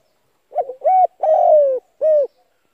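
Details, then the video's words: Spotted dove phrase used as a trapping lure to set decoy doves calling: a rough introductory note, a short coo, a long sliding-down coo and a clipped final coo, against a silent background. "chim cu gáy gọi hay kích bổi mở lên kích mồi gáy liền"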